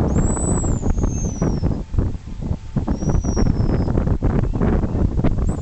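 Thin, very high whistles from a pigeon guillemot, each slurring slowly downward, heard twice over heavy wind and low engine rumble.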